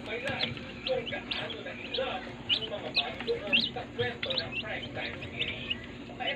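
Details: Several day-old chicks peeping in a brooder, loud high chirps that drop in pitch, arriving in quick irregular bursts about once a second, with low background hum.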